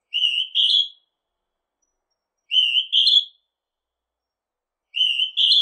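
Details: Northern hawk-cuckoo giving shrill two-note whistles, the second note higher and rising, repeated about every two and a half seconds, three phrases against a silent background.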